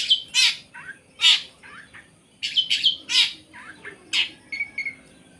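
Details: Long-tailed shrike singing energetically in the full 'tembakan isian' style, used as a tutor song for competition songbirds: loud harsh rasping bursts repeated about every second, alternating with softer, lower warbled phrases.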